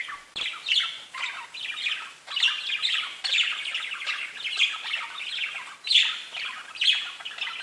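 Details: Pet budgies chattering busily: rapid, overlapping warbled chirps and scratchy squawk-like notes with almost no pause, with sharper high peaks every second or so.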